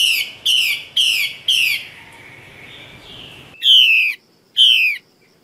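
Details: Female Chinese hwamei from the Northwest highlands singing four loud descending whistled notes in a row, a brief softer stretch, then two more powerful slurred whistles.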